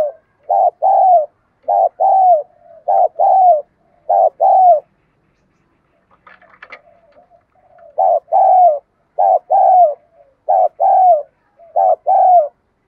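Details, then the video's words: Decoy spotted dove cooing to draw in wild doves: rhythmic pairs of mellow hooting notes, each pair ending in a drawn-out falling coo. A brief rustle and pause come midway before the series resumes. "Cu gáy mồi ĐỒNG GÙ ĐẤU THÚC GỌI bổi nhanh nổi"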